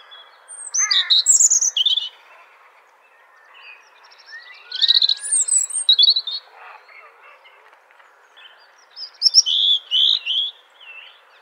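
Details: Wild robin perched in a tree, singing three short bursts of varied, thin warbling notes that jump between high and higher pitches, each phrase about a second long and separated by pauses, over faint background chirps.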